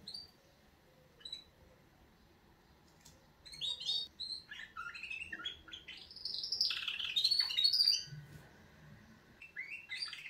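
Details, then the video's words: Canaries in wake-up song, starting with scattered quiet chirps, then building into loud high warbling and sweeping whistled notes around the middle, ending with a few sharp tweets. "Kanarienvögel Weckgesang |||Canaries wake-up song"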